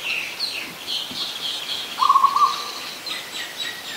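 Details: Adult zebra dove at Ubon Ratchathani, Thailand, 24 December 2020. A single short rattling coo sounds midway, while louder high-pitched chirping and whistling from other birds runs throughout.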